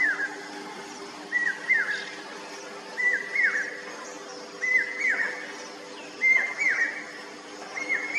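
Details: Common hawk-cuckoo (Hierococcyx varius) song: shrill, high whistled phrases of two or three notes, repeated about every second over a low steady hum.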